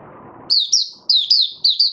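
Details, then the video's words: An oriental white-eye in 'buka sing' singing, 20 January 2022, fifth day after monthly deworming, gives sharp high chirps in pairs, each starting bright and sliding downward, after a brief patch of background noise. "Mata Puteh Raja Video 1 buka sing"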